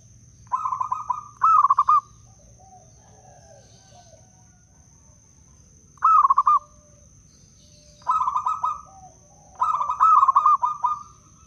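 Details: Local wild-type zebra dove from Blora, a lure for trapping and prompting other doves to sing: four bursts of trilled cooing near one pitch, some ending in looping rolled notes, with gaps between. A faint thin steady whine runs throughout.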